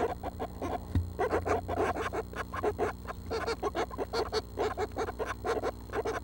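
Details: Seven Northern Flicker nestlings in the nest at 6 am on June 12, about a week from fledging, giving a busy chorus of short, raspy, buzzy notes, several per second, over a low steady hum and one soft thump.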